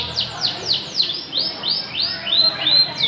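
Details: Canary in Samarinda singing evenly spaced, downward-curving whistled notes, some becoming flatter, fuller phrases, repeated roughly three times a second.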